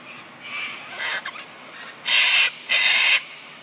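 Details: Sulphur-crested Cockatoo of the nominate subspecies, Cacatua galerita galerita, at Barmah, Victoria, Australia, on 5 March 2022 in wind; softer rasping notes lead into two loud, harsh, grating screeches, each about half a second long.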